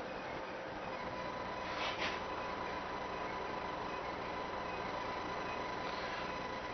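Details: Steady rumbling train or vehicle noise with a faint whine and a brief hiss near two seconds; no animal is heard.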